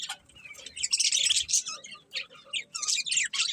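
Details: Several colourful pet budgerigars chirping together: dense, scratchy warbling chatter with bright high chirps and squeaks in overlapping bursts, pausing briefly around two and a half seconds before resuming.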